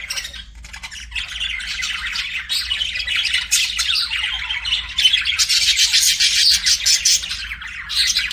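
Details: Pet budgerigars singing and chirping: a continuous, dense warble of scratchy chatter and squawky notes, building in loudness toward the end, with quick chirps layered throughout.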